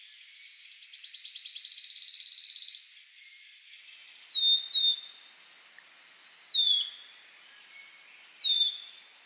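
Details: Wood Warbler song: an accelerating high ticking run swells into a loud shivering trill, then a few separate clear, downward-sliding piping notes spaced about two seconds apart.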